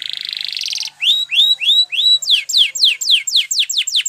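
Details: Spanish Timbrado canary singing a training song: a fast metallic buzzing trill, then a run of rising whistled slurs followed by quick falling notes repeated about four per second.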